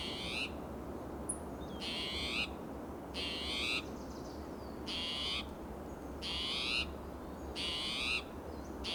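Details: ['Persistent alarm from a restless spotted towhee hopping between oak and pine branches in Del Monte Forest, California, June: seven grating, buzzy mews at roughly one-second gaps, a few faint chirps in between, low steady rumble underneath.']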